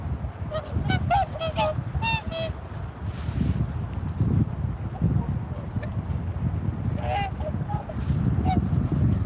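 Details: Swans give a burst of rapid, overlapping nasal honks in the first seconds, fall quiet, then call again with a rising honk near seven seconds; wind rumbles throughout.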